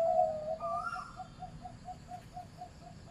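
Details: Zebra dove of medium-pitched voice: a clear upward-lilting coo opens, followed by a steady string of short soft notes that fade gradually, about two per second.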